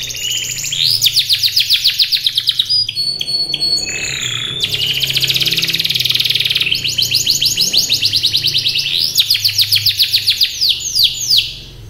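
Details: Singing canary delivering fast buzzy trills in repeated bursts, broken by brief pauses with short whistled notes, then resuming with rolling chatters; low steady hum underneath.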